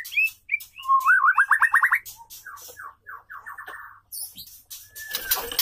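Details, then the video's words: Female white-rumped shama singing to attract a male: rapid rising trills repeated several times a second, a series of short descending notes, then a noisy scraping burst. "murai betina gacor"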